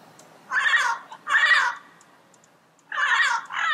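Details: Wild yellow-headed parrot calling in its natural environment: loud, harsh, nasal squawks, each about half a second long. Two calls come close together, then a pause of over a second, then two more calls in quick succession. The background is quiet.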